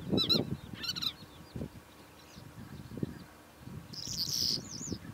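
A Calandra lark gives short bursts of high, chirping and trilled song phrases, ending in a scratchy, buzzy passage, over low rumbling wind or handling noise.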